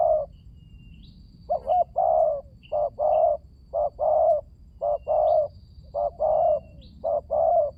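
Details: Lure recording of a spotted dove, meant to stir silent birds to call: steady run of husky low coos, each short note followed by a longer rolling one, roughly once a second, with faint distant high whistles.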